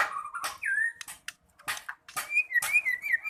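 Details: White-rumped shama singing in the lively 'gacor' style: clear whistled notes, a long level whistle, then a run of rising and falling slurred whistles broken by sharp, noisy bursts.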